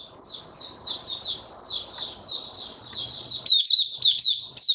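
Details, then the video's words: White-eye kept as a caged songbird delivering a steady run of high, slurred chirps about twice per second over a low background hum. "Mata Puteh Raja Stablizing his form buka sing"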